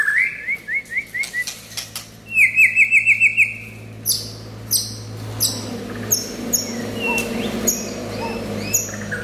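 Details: White-rumped shama song opening with a series of short rising whistled notes, then a fast ringing trill of about seven notes, followed by scattered sharp clicks and soft phrases over background hum.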